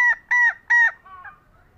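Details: Green junglefowl hen calling, a call said to draw out males that are slow to respond. Three loud, nasal, slightly downcurved honks come in quick succession, followed by a fainter, softer fourth note.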